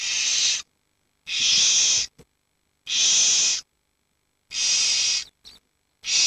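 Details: Young barn owls aged 7 to 19 days, huddling for warmth with the parents off hunting; a regular run of harsh hisses about every one and a half seconds, with small clicks between some of them.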